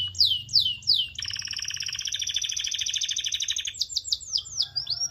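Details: Canary stimulant song: three descending whistled sweeps, then a long rapid layered trill lasting over two seconds, finishing with quick repeated swept chirps.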